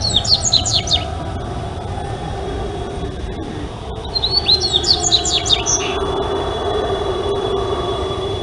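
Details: Dubois's seedeater (Sporophila ardesiaca), Brazil: a rapid series of high downslurred chirps opens, then after a pause a second, longer phrase of sharp whistled and chipping notes, with a faint steady tone and low background hum.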